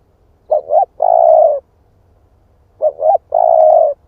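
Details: Spotted dove, split-breast type, kept to lure wild doves. It gives two coo phrases, each two short rising notes followed by a long steady tone, with a quiet gap of about one second.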